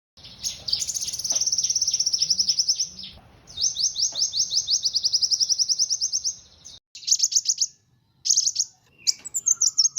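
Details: Kolibri wulung sunbird in lively full song, used as a master model for training songbirds: long, very high, rapid buzzy trills of repeated notes, then shorter bursts of trilled phrases after brief pauses.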